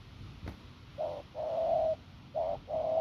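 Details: Hoarse, strong coo from a wild-caught field spotted dove: after a faint tap, two pairs of low notes, each pair a short hoot then a longer, steadier one.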